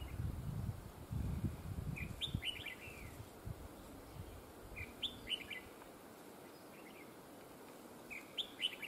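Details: Red-whiskered bulbul decoy bird used for trapping, described as having a very fine voice with linked double phrases; short warbled, sliding phrases at intervals of about three seconds, with low rumbling noise early on.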